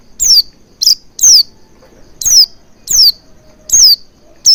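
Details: Oriental white-eye, sound used as a lure to get the bird singing: a steady series of sharp, high, downslurred tseet notes, about one every half to one second, over a quiet background.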